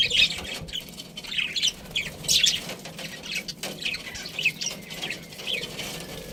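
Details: Pet budgerigars give softer, scattered high chirps and short squeaky notes over a faint background hiss, with occasional clicks.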